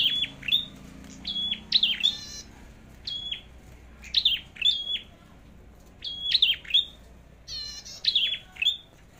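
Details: Red-headed flowerpecker in competition song, being checked before going to the forest: sharp high chips dropping into short level whistles, repeated in evenly spaced phrases about every second, with faint low hum beneath.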